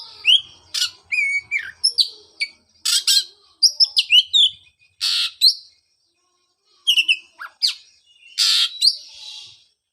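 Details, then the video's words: Lure song of an Oriental magpie-robin for a bird that stopped singing after moult: rapid varied phrases of sharp whistles, chirps and scratchy bursts, with one longer silence midway before the singing resumes. "pancingan suara untuk terapi burung kacer"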